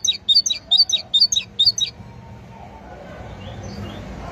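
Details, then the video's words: Great tit song: six quick repetitions of a sharp, high two-part phrase in under two seconds, followed by fading faint background sounds. "أجمل وأعذب تغريد لطائر الحداد (القرقف الكبير )chant messange charbonnier"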